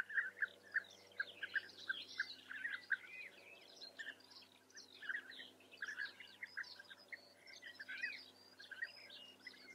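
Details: Rolling, burry bee-eater notes in the Eifel, Germany, given in quick irregular bursts by more than one European bee-eater, mixed with thin high chirping from other birds.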